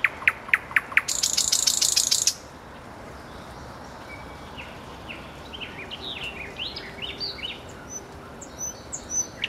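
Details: Common nightingale by a road: loud sharp repeated notes and a harsh buzzing rattle, followed by quieter, distant twittering.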